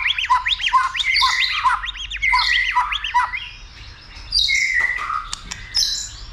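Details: White-rumped shama stirred up to sing heavily and fight, flicking its tail; rich whistled song of looping arched notes and sustained mid-pitched whistles, interspersed with high sharp chirps and a brief quieter pause.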